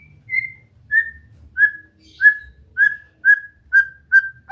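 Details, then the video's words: White-rumped shama practising song with a steady series of short, clear downslurred whistles repeated about every half second, over faint low background noise. "Latihan santai untuk murai batu AGAR MAU BUNYI dan GACOR"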